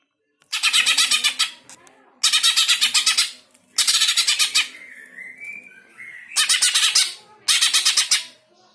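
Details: Greater green leafbird, played to make pet birds sing; five bouts of loud, rapidly pulsed harsh chatter with a short wavering whistle between the third and fourth bouts.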